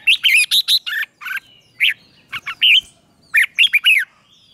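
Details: Morning training song of a red-whiskered bulbul, ché kích bổi style: clusters of quick, bright whistled and warbled notes in short bursts, separated by short silences, the last burst fast and ringing.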